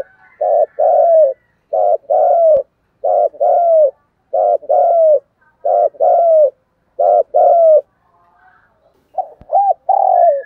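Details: Spotted dove cooing in the 'thúc gù' manner with a 'giọng thổ' voice, used as a lure for wild doves. Seven steady pairs of husky coos, short-then-long with a downward slur. A brief pause comes before a final uneven burst.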